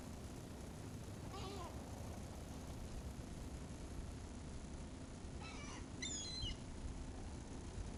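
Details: During a seagull feeding, a wavering lower cry is followed by a pair of higher harmonic squeals near the end, with steady low background rumble throughout.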